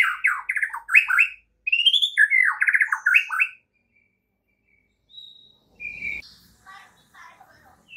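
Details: White-rumped shama singing in the morning as a training recording for other shamas: three seconds of loud, fast, warbling whistled phrases, then near silence with a few soft notes and a thin whistle.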